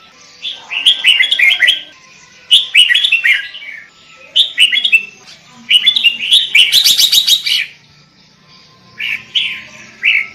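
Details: Sooty-headed bulbul singing vigorously for use as a bird lure: bubbly phrases of quick descending whistled notes, repeated in clusters, with one harsher rattling burst midway.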